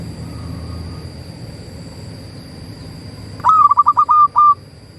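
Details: Local Indonesian zebra dove song used as a master recording to rouse quiet doves: a fast series of pure, level cooing notes, roughly six quick syllables then a drawn-out last note, after a hushed background hum.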